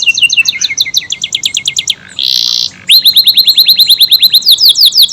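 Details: AF canary song used as training material for other songbirds: choppy rapid trills, a short harsh buzzy burst, then a run of bright rising whistled notes repeated quickly.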